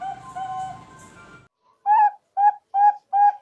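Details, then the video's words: Zebra dove lure sound used for trapping birds: an opening stretch of steady, humming, music-like tones, then four clear, mid-pitched coo notes about half a second apart. "Pancingan Perkutut FULL,perkutut Bangkok,Pikat perkutut,perkutut lokal gacor"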